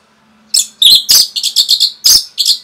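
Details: Orange-headed thrush singing its rapid provoking song: after a brief quiet start, a quick series of harsh, rich chirping and whistled notes, each about a tenth of a second, with a steady low hum underneath.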